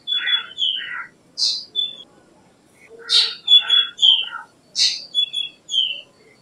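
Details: Black drongo sings several varied phrases: falling whistled slurs, harsh rasping bursts and short bright whistles, grouped in three clusters about one and a half seconds apart, with a faint low murmur beneath.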